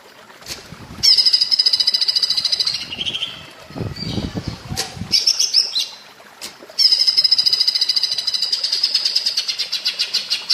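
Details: Green leafbird (cucak ijo) in platuk bawang style, a master recording for training songbirds: bursts of rapid, high, stuttering rattles separated by short pauses and a low rustle, then a long chattering trill that gradually slows.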